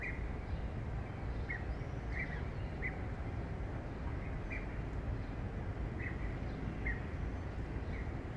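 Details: European bee-eaters passing over a park during their crossing of the Strait give short, rolling 'prruip' calls at irregular intervals, about one per second, over a steady low rumble of wind or distant traffic.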